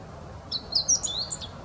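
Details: Meadow bunting giving a short, rapid burst of high, sharp, twittering notes lasting about a second, against faint low background noise.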